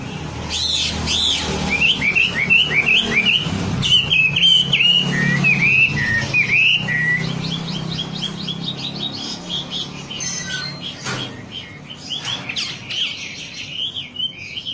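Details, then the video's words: Wambi lure song for making birds sing eagerly: a run of rising and falling whistled notes repeated quickly, then rapid high trilled chirps fading toward the end, with a low background rumble. "Suara pancingan burung wambi agar cepat gacor"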